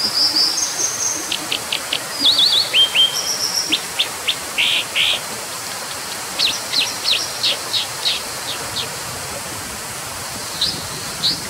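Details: Brown dipper singing a long varied phrase: thin high whistles, quick trills, strings of sharp repeated chips and a couple of broad buzzy notes, continuing in bursts over a constant rushing background noise.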